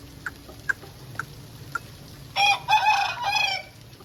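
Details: Aseel chicken crowing after rain: a few short clucks early, then a harsh, strongly harmonic crow of about one second, broken into several bursts, over quiet background hiss.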